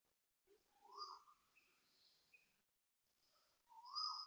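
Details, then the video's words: Two loud, rising, vibrato whistled notes from Asian koels about three seconds apart, over fainter high chirps and background noise. Recorded at 6:13 am on 13 November 2025 at Toa Payoh Lorong 8, Singapore. "Loud Vibrato Koel birds and fake chipping noises"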